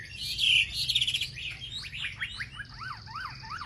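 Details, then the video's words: Lure recording of a wambi singing to provoke other wambi: loud chattering notes, then a quick series of sharp rising and falling slurred whistles with a thin buzzy tone behind them, over a low hum. "pancingan suara wambi paling ampuh untuk memencing emosi burung wambi"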